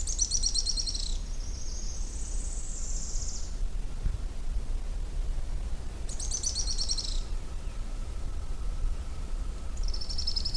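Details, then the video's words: Araucaria tit-spinetail song: very high, thin, buzzy trilled phrases about a second long, repeated every few seconds over a steady low rumble of wind or distant noise. "Magnífico Canto!! Pássaro Grimpeiro"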